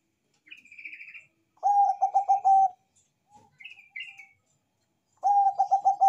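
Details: Bangkok-type zebra dove in vigorous song: two phrases of rapid, low, bubbling coos, each of about six notes, alternating with short high chirping trills from a smaller bird.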